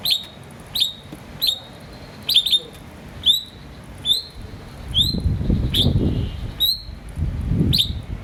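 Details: Green starling chirping: short, sharp, high chirps repeated roughly every three-quarters of a second, sometimes doubled, over a low rumbling background with some soft muffled noise in the second half.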